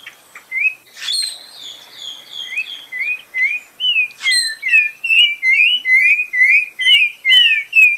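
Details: Spot-breasted oriole delivering a long run of rich, slurred whistled notes, rising then dipping, repeated at a quick steady pace, with a few higher notes from other birds early on.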